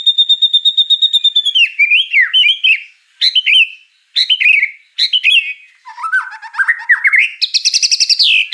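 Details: Varied song of a white-rumped shama full of fill-in phrases: a steady high whistled trill breaks into twisting, chattering slurred notes, dips into a lower rising warble and ends with a fast, very high rippling series.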